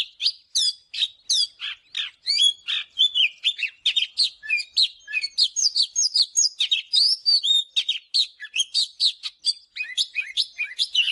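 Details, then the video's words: Oriental magpie-robin morning song, for song training: a long, fast stream of varied whistled and chattering syllables, sharply repeated several times a second, loud and clean throughout. "เสียงนกกางเขนบ้านหรือนกบินหลาขี้ควายใต้ Chòe than HÓT SÁNG"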